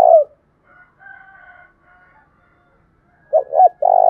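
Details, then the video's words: Lure call of a spotted dove, the 'thổ đồng' style, used to attract wild doves: a long low coo ending, soft faint humming notes, then two short hoots and a sustained buzzy coo. "tiếng cu gáy thúc bổi, Tiếng cu gáy mồi chuẩn"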